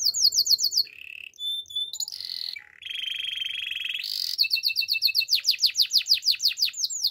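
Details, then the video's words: Canary training song with varied tours: quick descending whistles, short clicks, a long flat rolling trill, then rapid rhythmic swooping notes repeated about four times a second. "Canary's training song"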